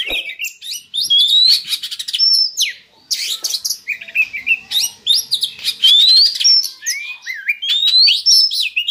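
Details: Oriental magpie-robin song played as a lure to raise breeding drive in captive birds: loud varied phrases of rising whistles, harsh chatters and quick sweeps, a clear upslurred whistle recurring every few seconds.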